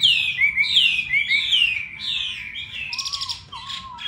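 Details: Chinese hwamei from Hanoi, praised for its fine voice, singing loud whistled phrases that slur downward one after another, then buzzy rattled notes and two lower, softer whistles near the end.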